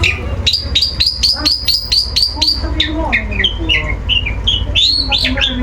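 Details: During its regular sunbathing, a long-tailed shrike sings ngeplong: a rapid train of sharp identical high notes, then varied slurred and down-curving chirps, with low background hum.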